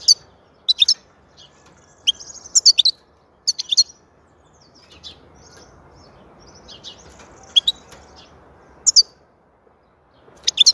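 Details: European goldfinch singing, described as soothing and excellent: repeated short bursts of high, bright twittering notes separated by brief pauses over about ten seconds, with quieter chirps between bursts.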